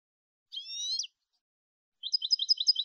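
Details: European goldfinch, clean Malagueño-style training song for goldfinches: a drawn, buzzy rising note with a downward flick, a one-second pause, then a rapid, regular string of high tinkling twitters.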